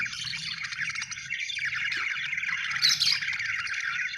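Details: Budgerigar chirping steadily, a busy warbling twitter of rapid scratchy notes running without pause, with a louder squeaky burst near the end and a soft low rumble in the background.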